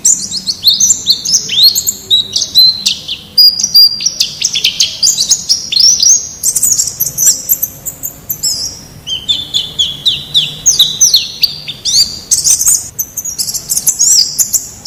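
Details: Forest white-eye, recorded to tutor caged birds into song: a long, varied warble of high twitters, stepped notes and brief trills that rise and fall in pitch without pause.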